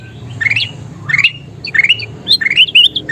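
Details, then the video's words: Kutilang emas, a golden bulbul, singing 'gacor' as training audio for songbirds: bright, rising, slurred whistled phrases come in bursts about every half second to second, with a low background hum. "SUARA KUTILANG EMAS GACOR PALING DICARI"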